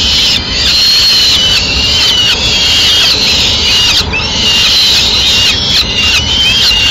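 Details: At a Madrid peregrine falcon nest, male delivering a swift and feeding it piece by piece to the chicks: long, rasping, slightly rising wails with short pauses between, backed by a steady rush.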